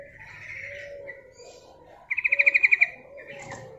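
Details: Female yellow-vented bulbul luring males with a call: a short, bright rattle of about nine quick notes in the middle, set against softer overlapping bird whistles and chirps and a low background murmur.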